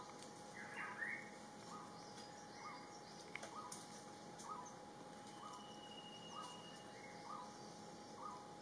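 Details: Rufous-throated partridge calling: a faint, evenly spaced series of short mellow whistles, roughly one every second, rising slightly in pitch, over a quiet background with a steady high electronic tone.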